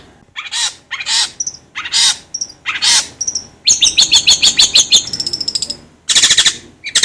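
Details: Song of a long-tailed shrike used to prompt another bird to sing: harsh rasping bursts, thin high whistles, then a quick run of sharp chips and a loud scratchy burst.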